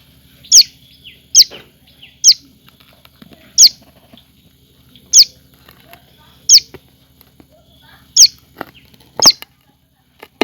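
A Common Tailorbird gives loud, sharp, high notes, each a quick downward sweep, repeated about eight times at roughly one-second intervals against a quiet background.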